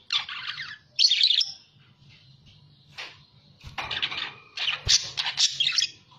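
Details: Budgerigar chatter used for luring other budgerigars: short scratchy warbled bursts at the start, a quiet stretch, then clicking and renewed squeaky chattering, with a steady low hum throughout.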